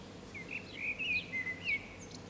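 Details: Common blackbird singing from an antenna in the town centre of San Martín, Zamudio, Txorierri, Bizkaia, on 18 April 2019: mellow fluting warbled phrases that slide and loop, each ending in a thin high twitter, over faint background hiss.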